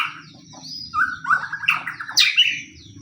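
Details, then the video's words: Short burst of lure song from a white-rumped shama, pastol type, in fighting style meant to draw other shamas into song: a level whistle, then a rattling run climbing into high sharp notes over low hum. "pancingan murai pastol tarung murai apapun akan ikut bunyi"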